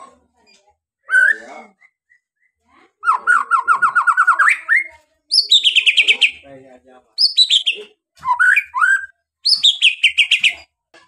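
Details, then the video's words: White-rumped shama song used to provoke other birds into singing: varied phrases of rapid repeated notes, a trilled run near mid pitch, then high sweeping whistles falling in pitch, in bursts separated by short pauses. "CUKUP SEKALI PANCING! RESPON CEPAT DAN EFEKTIF BIKIN GACOR DENGAN SUARA MURAI BATU INI"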